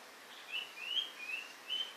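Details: White-rumped shama uttering four brief whistled notes, each sliding slightly upward, spaced roughly a third of a second apart, with faint background hiss.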